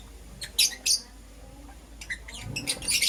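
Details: Morning chirping from lovebirds, a green Personata and a yellow pastel pied: a couple of shrill, squeaky chirps, a quiet gap, then a rising flurry of rapid high chirps over faint low rumble.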